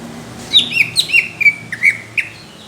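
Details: Greater green leafbird, song of rough, thick bursts favoured by judges: a tight string of bright slurred whistles, rising and falling, linked by a continuous thin tone.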